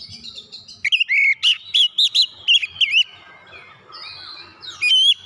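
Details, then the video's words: Oriental magpie-robin singing to goad other magpie-robins into song: a brisk series of about eight swooping, slurred whistles, then a quieter stretch of soft warbling and a final clear whistle. "PANCINGAN KACER CEPAT EMOSI 100% KACER MACET MALAS BUNYI CEPAT GACOR"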